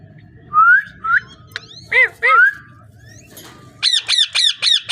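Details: A parrot mixes rising whistles and short arched harmonic calls, then ends with a run of five strident squawks repeated rapidly.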